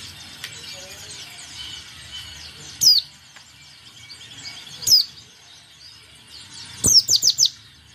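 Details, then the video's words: White-eye in full song, played to provoke opponents into singing and 'nembak' bursts: two isolated sharp, high downslurred notes, then a quick burst of four rapid chirps, separated by quiet gaps with faint background noise. "PLECI DAKUN BIKIN LAWAN GACOR DAN NEMBAK ! Suara Pleci Gacor"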